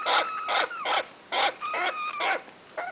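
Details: African grey parrot babies, a breeder's first chicks; loud harsh nasal calls in rapid bursts about every half second, each rich in harmonics with some wavering tones, repeated steadily over three seconds in a quiet indoor setting.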